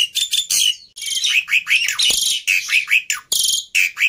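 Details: Over-agitated Black-winged myna fighter, suited as a tutor for mute starlings, pours out thick raspy screeches mixed with bending whistled slurs in a crowded, unbroken flow.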